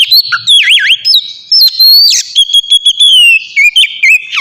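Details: Oriental magpie-robin singing, used as a lure for caged birds: clear whistled notes with looping slurs and sweeping glides, followed by a run of short bright chirps, loud and continuous.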